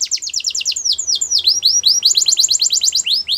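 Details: Russian canary in flute singing: a continuous stream of bright, rapid downward-sweeping whistled notes, some slower and drawn out, then speeding up again into quick repeated phrases.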